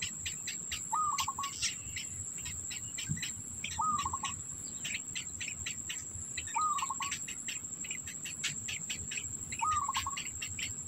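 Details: Young black bitterns at the nest call for food from an adult carrying food in its mouth. Brief rattling notes come four times at even intervals of roughly three seconds, against a continuous shrill insect whine and rapid clicking.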